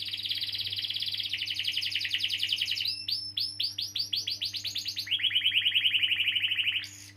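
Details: Long canary roll meant to trigger other canaries to sing: a steady high trill slowing into separate rising notes, followed by a lower rapid rolling trill and a final rising whistle, over a low hum.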